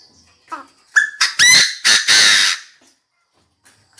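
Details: Decoy Chinese francolin calling its flock: a short run of loud, harsh, ringing notes, each rasping and rich in overtones, delivered in quick succession and followed by near silence.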